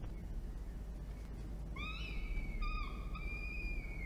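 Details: Peregrine falcon chick in a water tower nest box, Orange, NSW, Australia, fed by its mother at about 12:17 PM on 24 October 2021: two drawn-out descending whines, the second held longer, over steady rushing background noise.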